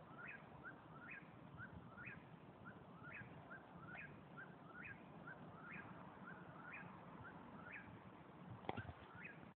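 A Whip-poor-will chants its whistled, rising three-note phrase over and over, nearly twice a second, over a low rumble with one sharp click near the end.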